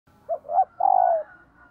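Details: Female dove calling to stimulate males: one low cooing phrase of a short note, a rising-falling coo, then a long rolling purr that slides downward, in a quiet setting.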